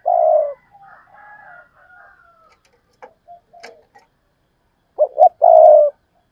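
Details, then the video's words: Spotted dove giving coos of the urging, calling and double-ending kinds, locally hai hậu, in Vietnam: one long low coo opens, faint softer notes follow, then two short notes and a long falling coo close the sequence. "tiếng cu gáy thúc và gáy gọi/ Tiếng cu gáy đôi háy còn gọi là hai hậu"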